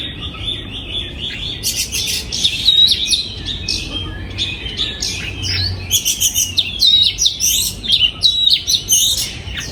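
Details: Captive oriental magpie-robin in a breeding aviary, 2022, singing bursts of bright whistles and trills, with a quieter gap around five seconds before a busy run of rapid, sharply modulated notes.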